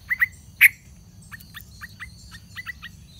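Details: Yellow-vented bulbul chicks moving about the nest edge on their last day before fledging, while parents keep feeding them; a few loud sharp chirps open the clip, followed by a run of softer, quick, short chirps.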